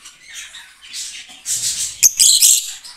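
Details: Green lovebirds for breeding, chattering in shrill, buzzy, high-pitched phrases that grow louder, ending in a burst of piercing squeaks and grating screeches.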